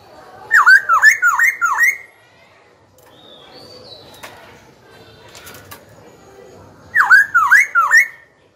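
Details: Black-throated laughingthrush, young cage bird, singing to provoke rivals and train young birds: a fast run of four or five dipping whistled notes, a quiet stretch with faint noises, then another similar run.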